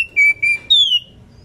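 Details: Female Oriental magpie-robin in breeding condition calling to its companion: two level, pure whistles followed by a higher whistle gliding downward, clean against a quiet background.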